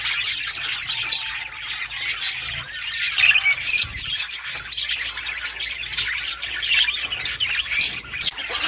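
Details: Budgerigar flock giving continuous high chirps and scratchy warbling, with many overlapping quick notes and short squawky bursts and no pause across the stretch.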